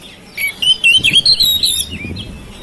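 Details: Home-kept oriental magpie-robin, its song used to get mute birds singing: a short phrase of warbled, rising and falling whistles lasting about a second and a half.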